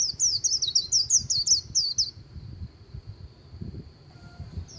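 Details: White-eye on the bank of the Kỳ Cùng River giving about two seconds of rapid, high, twittering líu notes, followed by a faint steady high tone and low background noise.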